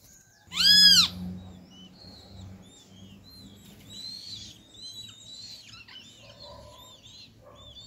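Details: A great kiskadee from a family feeding at a feeder in an acerola tree gives one loud, harsh, arched call near the start, followed by soft high chirps and twitters from other birds over a faint low hum.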